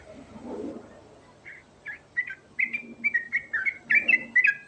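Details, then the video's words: Sooty-headed bulbul (trucukan), Garuda type, singing ngerol song with rich fill: after a soft rustle, a building series of short, clear whistled notes sliding down, quickening and growing louder toward the end. "Panggilan Burung Trucukan Garuda Ngerol Isian Mewah Cepat Bikin Nyaut"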